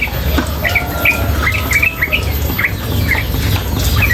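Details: Female yellow-vented bulbul giving quick, sharp chirps and short twittering notes at a lively pace, over loud splashing water sounds.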